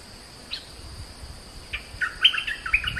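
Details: Oriental magpie-robin giving a few isolated chirps, then a quicker run of clear whistled notes toward the end, with low rumbling background noise throughout.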